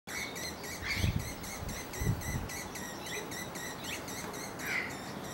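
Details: Allen's hummingbird (Selasphorus sasin) in courtship: thin, high, metallic notes repeated about three times a second, with a few sharper chips and low rumbling thumps of wind.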